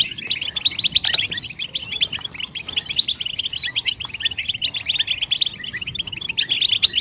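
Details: Goldfinch mating and readiness twitter to stimulate males: quick, bright chirps and trilled notes in tight overlapping runs, with a few downslurred accents near the start.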